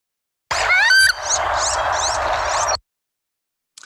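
A wood duck gives a quick series of high, squealing whistles, each sliding upward, about five in two seconds, over a steady hiss.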